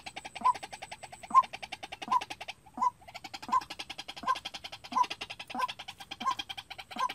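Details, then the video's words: Decoy white-breasted waterhen used for trapping, calling on its own; ten strong mid-pitched notes about 0.7 seconds apart over a rapid, rattling pulsed sound that runs almost continuously, briefly pausing once. "Tập quốc mồi tự chơi-Tiếng quốc đi bẫy"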